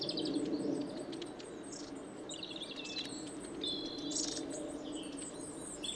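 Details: Long-tailed tits gathered at suet feeders, Saltersford Locks, Cheshire, winter 2012/13; several high thin calls, a clear whistled note and buzzy trills amid steady low rumbling noise.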